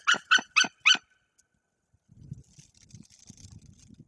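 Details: Incubating female white-tailed eagle on her nest in Bory Tucholskie, Poland, driving off an intruder perched on the nest tree above her: four loud, harsh yelping notes in quick succession, then low rustling and scraping.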